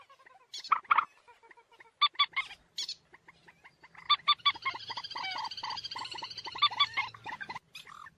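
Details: Moorhen voices: sharp isolated clucks and rasping notes early, building into a continuous busy chatter of overlapping nasal, bubbling calls over a steady low hum, ending with a few scattered notes.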